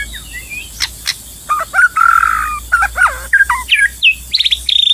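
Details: White-rumped shama singing in the wild during trapping: varied loud whistles, slurred rising and falling notes and quick chirped phrases, with a steady low hum and faint insect-like background.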